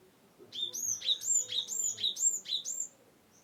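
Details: Cinereous tit from Wonosobo, a recording meant to stimulate birds that will not sing. A rapid run of repeated high two-part whistled notes, about two per second, forms one steady ringing phrase.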